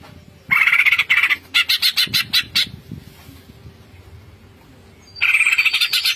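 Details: Greater green leafbird in vigorous ngentrok song, packed with fill-in phrases: a harsh buzzy burst, then a string of quick separate rattling notes, a quiet gap, and another dense buzzy burst, over a low steady hum.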